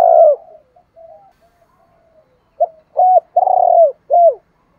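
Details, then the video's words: A decoy spotted dove's coo, used to train and draw in other doves. A trailing coo fades at the start, then a full phrase follows: a short note, a hollow coo, a long rough throbbing coo, and a final falling coo. "tieng chim cu moi thuc gay goi cu moi gay/ chim cu mồi dùng luyện mồi và bỏi rất hiệu quả"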